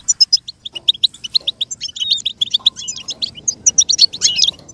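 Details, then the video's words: Goldfinch song meant as a model for a goldfinch to learn and imitate: a fast, unbroken twitter of short high chirps, with bright tinkling flourishes mixed in. "With stimulation for the goldfinch to learn and imitate sounds"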